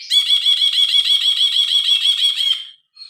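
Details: A grey-cheeked bulbul delivers a loud, steady buzzy rattling trill of rapidly repeated harmonic pulses for over two seconds, recorded on a phone.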